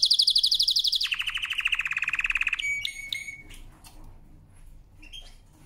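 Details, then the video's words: Canary song used for training: a fast high trill drops to a slower lower pulsed trill, followed by a few metallic chip notes and quieter faint calls. "CANARY SINGING POWERFUL SONG | CANARY SINGING FOR TRAINING"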